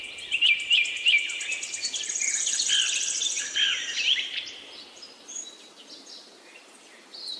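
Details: Bird chirping opens with three loud whistled slurs, then a long, high, rapid trill under mixed twitters. The chorus fades to scattered distant chirps by the end.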